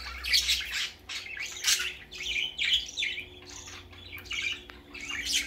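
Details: First outing of a baby budgerigar: a steady run of harsh, buzzy squawks, each about half a second long, repeating with short gaps.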